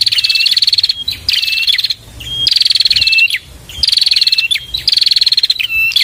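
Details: Bar-winged prinia song played as masteran: insistent machine-gun trills of high clicking notes, each trailing into a small dipping whistle, repeated in quick succession.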